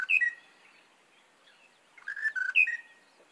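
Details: Monotonous lark singing early in the morning in Kruger National Park, near Shingwedzi Camp in the northern region: short whistled phrases of a few clear notes, given twice with a quiet gap between.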